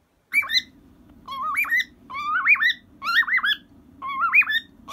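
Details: A 23-year-old pet cockatiel singing happily indoors to a soft toy cockatiel: warbling whistled phrases with rising and falling slides, repeated about once a second, over a steady low electrical hum.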